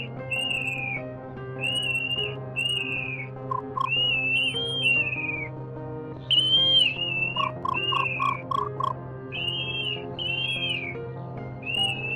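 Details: A nightjar recording sold as a lure for night-net trapping of migrant birds. The bird gives short, high whistled notes that bend down at the end, about four a second in loose bursts, over a steady low electronic hum.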